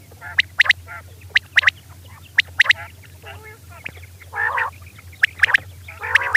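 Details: Night calls of a female quail: mostly sharp, high, clicky chips in quick pairs, with a few louder nasal, buzzy harmonic notes toward the end; a low constant hum sits underneath.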